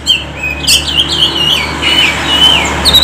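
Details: Oriental magpie-robin lure song to rouse lazy birds: smooth connected whistles gliding up and down, a few sharp notes, sung continuously over a soft background hum.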